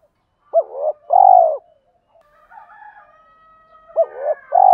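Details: Male and female spotted doves calling, meant to rouse birds kept for training. A short hooked note and a long rolling coo, faint overlapping cooing, then the phrase begins again.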